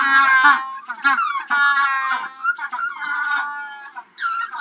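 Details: Captive Magellanic penguins at midday feeding time bray to communicate, more vocal while bulking up on land for their yearly molt. They give loud, harsh, donkey-like bursts with strong harmonics, several overlapping calls over a few seconds.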